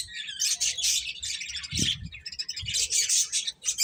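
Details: Feeding finches give thick bursts of high, twittering chirps in clusters separated by brief gaps; a short low thud or knock sounds near the middle.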